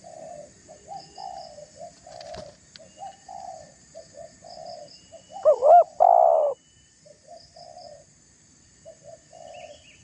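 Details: Spotted dove coos meant to bait another dove into anger. A steady run of soft, low coo phrases is broken once by a single loud phrase, two looping notes and then a held coo.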